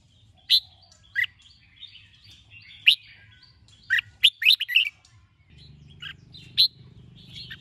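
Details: A captive Red-whiskered Bulbul being trained to sing gives bright, clear chirps and short whistled phrases in an irregular run, with a low hum in the background toward the end.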